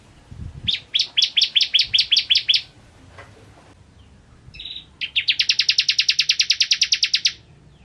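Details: Actively singing bar-winged prinia, in a song recording made to teach other birds: a brisk series of chips, a pause, a short note, then a fast, even trill lasting over two seconds.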